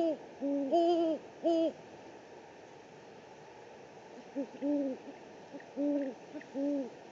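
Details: Live camera in San Francisco's Presidio, 3 March 2019, catches a great horned owl giving paired, slightly arched hoots, a loud group of four early on, a quiet pause, then three softer hoots.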